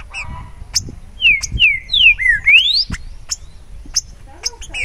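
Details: Clear whistled song of a Green-winged saltator (Saltator similis): a series of falling, slurred notes capped by a strong upward sweep, with sharp high chirps from other birds before and after.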